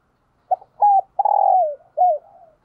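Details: Decoy spotted dove gives a morning coo to lure wild doves: a short soft note, a clipped coo, a long falling drawn-out coo, then a final slurred note. The background is silent.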